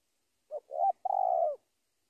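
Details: Spotted dove calling a rival, giving one complete phrase: a short low coo, a second swelling coo, then a long purring, rolling coo that fades out. The background is quiet.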